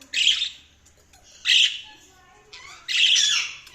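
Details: Budgerigars giving three loud, grating squawks about a second and a half apart, each a short rough burst, with quiet gaps in between.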